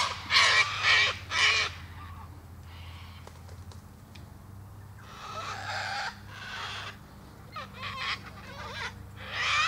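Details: Three sharp cockatoo screeches open the clip, then quieter grating squawks follow at irregular intervals, with a steady low hum in the background.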